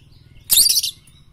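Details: Lovebird training song for morning, noon and night: a single loud, grating, high-pitched screech lasting about half a second.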